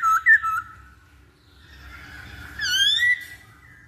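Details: Masked laughingthrush lure song intended to trigger singing: quick wavering whistle notes at the start, a quiet gap, then a long rising and falling bright whistle with strong overtones.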